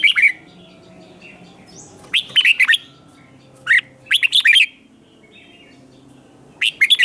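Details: Red-whiskered bulbul competition singing, used to provoke newly caught birds into singing back: short bright warbled phrases of quick rising and falling notes, in bursts separated by pauses of one to two seconds, over a quiet background.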